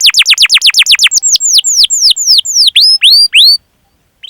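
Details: Canary long 'cuit cuit' master song: a fast string of downslurred notes that slows into looping, curved whistles, stopping after about three and a half seconds with near silence after.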